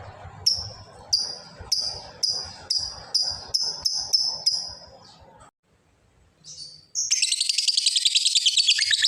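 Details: Lovebird's long chattering ngekek used to call a rival: a run of about ten sharp, high, downslurred notes in rapid series lasting some five seconds, a brief pause, then a dense, continuous high buzzing trill to the end.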